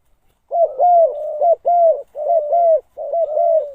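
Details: Decoy spotted dove cooing to lure wild doves: a steady run of low, mellow, slightly rising-and-falling coos, strung almost continuously with short breaks, clear and close with a quiet background.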